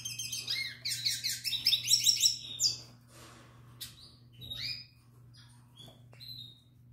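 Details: Young Tarim canary, a chick from the 2021 breeding season, sings to a female in captivity: a dense burst of rapid, high trilled notes repeated in quick series for three seconds, then scattered sharp chirps and short trills over a steady low electrical hum.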